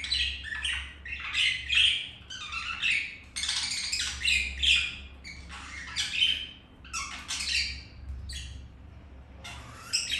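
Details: Domestic budgerigars mating, a green male with a female after rejection by another hen; busy chatter of harsh chirps and squeaky warbles in uneven bursts, low room hum.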